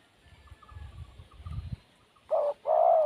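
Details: Wild spotted dove giving a short hollow coo followed by a longer, louder one at the end, after a stretch of faint high chirps from another bird and low rumbling.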